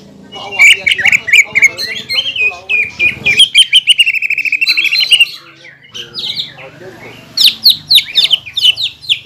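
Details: Greater green leafbird in a cage, mixing rapid chattering, a steady trill of repeated notes and sharp rising whistled calls, over a low background hum.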